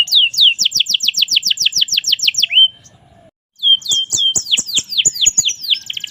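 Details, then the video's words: Canary delivering a fast rolling trill of down-slurred notes, pausing briefly, then resuming with sweeping high whistles; soft clicking taps are heard in the background. "Kenari merlok gacor"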